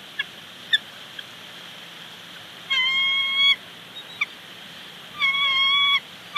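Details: Bald eagles at their nest with chicks at Big Bear Lake, recorded by a live nest camera in 2019 as the male arrives with a branch: two drawn-out, slightly wavering harmonic calls, each almost a second long, between scattered short chirps over steady hiss.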